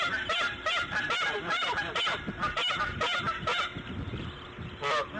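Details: Bald eagle at its nest on the morning of March 1, 2014, around 8:40 AM, while a female lays her fifth egg; a rapid run of short, harsh, stacked chittering notes, roughly ten in four seconds, over a low steady hum.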